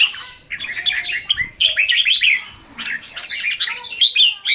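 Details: Caged red-whiskered bulbul in Singapore, recorded 17 January 2019 while competing against other caged bulbuls; rich, rapid warbled and whistled phrases in bursts, with short gaps and overlapping notes from other birds.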